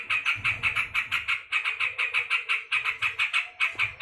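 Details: Angry yellow-vented bulbul chattering in harsh, scratchy bursts, about four per second, in a steady run broken by one short gap.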